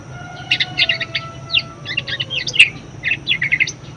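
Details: Talkative budgerigar in song, used to train and provoke other birds; grouped bursts of rapid chirps and buzzy squeaks, one louder sharp note near the end, over a low hum.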